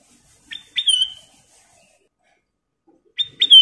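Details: Gacor song of the Sooty-headed bulbul (kutilang emas): short whistled phrases, each a brief pickup note followed by a strong, sustained whistle that slides down, with long silences between phrases.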